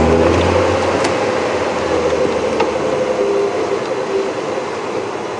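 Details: A safari vehicle's engine drones steadily on a PM game drive at Djuma Game Reserve, 1 March 2016, with a low rumble and faint humming tones and no animal voice.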